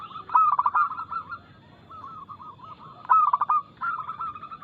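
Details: Local zebra dove, described as singing keenly with rapid notes and a loud, crystal-clear voice, used to coax other doves into song. Two loud rolling, trilled coo phrases about three seconds apart, with quieter cooing in between.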